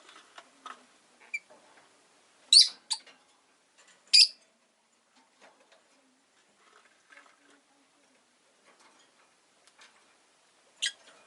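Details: Rosy-faced lovebird chirping in scattered shrill bursts: a pair of loud harsh chirps, another strong one soon after, a long quiet gap with soft clicks and rustles, then a final sharp chirp.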